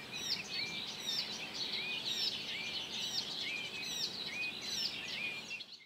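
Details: Late-May song of an Icterine warbler at Joachimów Mogiły reservoir, Poland, 2017: fast varied high twittering with repeated upslurred whistles roughly each second and scattered thin high ticks, over faint ambient hiss.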